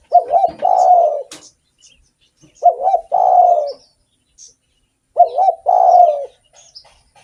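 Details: Actively singing spotted dove, used to lure other doves: three cooing phrases about every two and a half seconds, each a quick double coo followed by a long, husky, falling note. Faint ticks between phrases.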